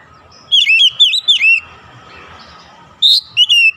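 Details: In morning sunlight an oriental magpie-robin gives three loud, looping whistled notes, falls quiet over a low rushing background, then resumes with a rising whistle and two sweet slurred notes.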